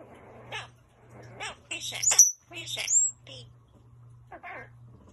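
A Hyacinth Macaw imitates human speech in short, word-like bursts, broken by a couple of sharp, high whistles, over a low steady hum.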